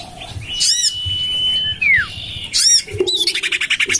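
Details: Common iora lure call for drawing birds, tried in a garden by a house: a drawn-out level whistle sliding into a falling slur, framed by harsh squawks and a closing buzzy chatter.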